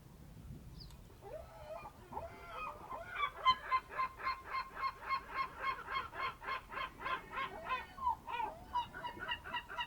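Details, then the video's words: Birds at a fishing harbour on the Ionian Sea by Amvrakikos National Park, Greece, early morning of 27 March 2026 at 07:40. A few scattered calls build into a steady run of loud, nasal, honking notes, about four each second. "Morning on the Ionian Sea - Birds from the Ambracian Gulf"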